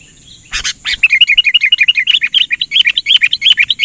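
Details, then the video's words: Sooty-headed bulbul lure call for trapping, delivered persistently: a burst of noisy clicks opens, then a fast run of about twenty short bouncing chirps, each rising then dropping, at a bright mid-high pitch. "TIPE PIKAT KUTILANG GACOR MAIN NGOTOT"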